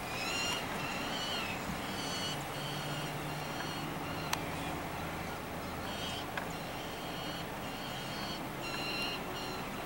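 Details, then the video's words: Juvenile falcon being fed in downtown Joliet, Illinois, on 7/11/2014: harsh, wailing calls with stacked overtones, repeated in short bursts about every second, over a steady low rumble of city traffic. "juvenile falcon getting fed"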